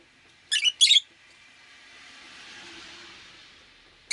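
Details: On a rainy day, a pet rosy-faced lovebird gives two harsh, high chirps close together, followed by a broad rushing swell of passing street noise and another chirp at the end.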